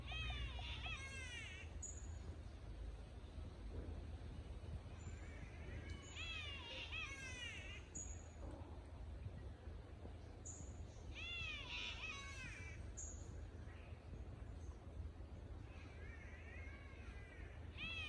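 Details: Catbirds singing in Noosa tropical forest: nasal, wavering, cat-like wails in short bursts of arched notes, with bursts coming about every five seconds over a steady low hum.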